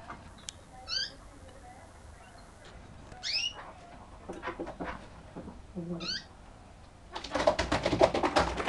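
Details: Kurdish chukar in an aggressive mood calling kaw: three short, strained, harmonic notes spaced a few seconds apart, then loud rapid rattling and clattering fills the last second and a half.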